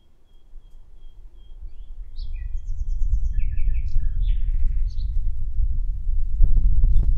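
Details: Common nightingale singing a varied phrase of short whistles and quick chirped notes, partly buried under a strong low rumble of wind or handling noise that grows louder through the recording, with a sharp crackle at the end.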